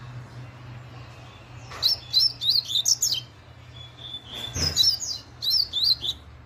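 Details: Double-collared seedeater delivering its very fast laranjeira song: two bursts of quick, piercing, rising-and-falling chirps separated by a short pause and a soft knock, low hum in the background.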